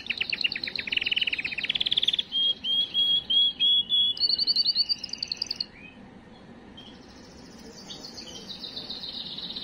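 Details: Canary song for stimulating females: a rapid rolling trill, a bright whistle, a run of evenly spaced clipped notes, then a fainter high sustained tour trailing off.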